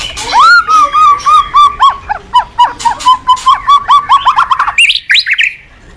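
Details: White-rumped shama singing in the morning, a lure for training cage birds: a run of clear whistled notes near one pitch, repeated about twice a second, ending in quick higher rising phrases.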